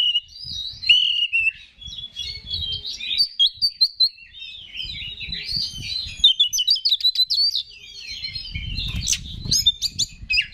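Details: Oriental magpie-robin, a kept songbird in Indonesia, singing to provoke other males: a loud, varied run of whistled and chattering phrases with rapid repeated notes, some low thumping noise in the background.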